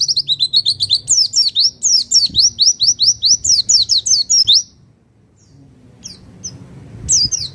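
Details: Javan white-eye, Pacitan type, in a master and therapy recording used to provoke other birds: a long, fast string of high, ringing down-slurred chirps for over four seconds, then silence and a few isolated notes with faint background hum.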